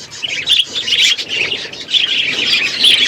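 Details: Several budgerigars, pets, chirp on a winter morning, with rapid, shrill twittering and squeaky notes rising and falling in quick overlapping waves.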